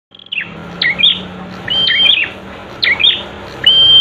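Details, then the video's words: Prenjak song used as a master recording for training birds: a loud repeated phrase of a level high whistle followed by sharp descending chirps, recurring about every second, over a steady low hum. "Masteran untuk prenjak, agar cepat bunyi"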